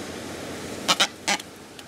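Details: A Peruvian (Humboldt) booby resting on a cargo ship at sea off South America in 2007, about 1.5–2 m away and not flying off, gives two quick, harsh, honking squawks, then a third, over wind and engine hiss.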